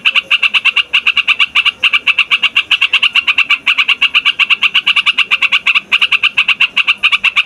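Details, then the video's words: A trucukan, the yellow-vented bulbul, in a long, noisy rolling song suited for luring wild birds: a steady, rapid stream of clear chirps, roughly seven per second, broken by two short gaps. "TRUCUKAN RIBUT BUAT PIKAT"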